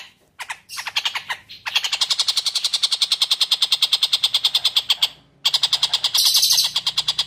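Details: Long-tailed shrike singing actively in a clear original recording used as tutor song for oriental magpie-robins: a brief broken start, then a long fast train of harsh, buzzy notes, about three per second, with a short pause before it resumes.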